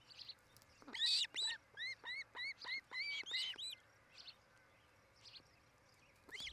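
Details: Osprey pair nesting in Charlo, Montana, nest cam, July 8, 2018, between 5 and 6 pm, building a new nest and mating: a run of about ten whistled, upslurred chirps, evenly spaced, with a faint background hiss.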